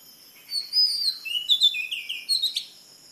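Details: Oriental magpie-robin from Kerala singing: a clear, thin high whistle, then a run of quick varied warbled notes, ending with a short sharp note.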